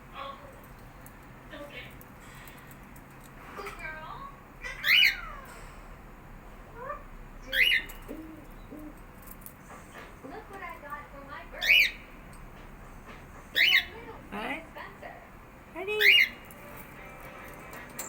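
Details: Pet cockatiel in a family home chattering in squeaky mimicked speech, broken by sharp, high chirps every few seconds.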